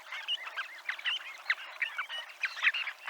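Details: Dunlins on the Noia seafront giving a brief, busy run of overlapping trilled and buzzy calls, several sharp notes standing out from the flock's chatter.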